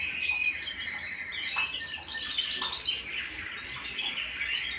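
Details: Singing at home, a canary delivers a continuous bubbling warble of rapid high chirps and trills with no real breaks.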